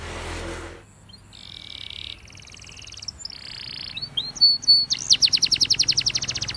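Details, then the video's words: Spanish Timbrado canary song for training: after a short burst of noise come buzzy, flat, sustained tours at two pitch levels, a few sharp whistles, then a fast, loud, rhythmic rattling trill. "The Best Canary Sound!!! Reliable for Spanish Timbrado Canary Training"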